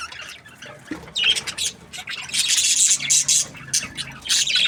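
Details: Australian budgies, parrots kept as pets, chirping: a steady stream of high, scratchy squawks and chatter, with bursts of overlapping notes growing denser after the first second, no other sounds standing out.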